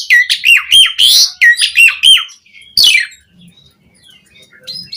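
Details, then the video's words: Asian pied starling in full, varied song for teaching caged birds: about eight loud, bending whistled and rasping phrases in quick succession, then a harsh buzzy note and a quieter, softer tail. "Suara Jalak Suren Gacor Full Isian Variasi"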